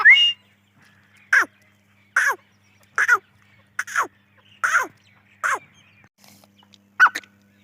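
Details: Separate grey francolin (dahkni teetar) notes, each sharp and quickly falling, repeat roughly every three-quarters of a second over a quiet low hum.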